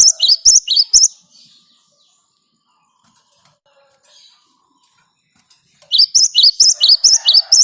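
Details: Great tit singing in a continuous rolling style, used as a lure for other birds: bursts of rapid, sharp, high two-note phrases at the start and the end, with a long quiet stretch and faint rustling between.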